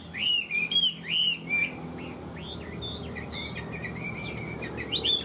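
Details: Chinese hwamei, tame and caged, known as a good fighter, in ngũ trường song: clear looping whistles in short bursts, then a continuous rapid warbling chatter of rising and falling notes.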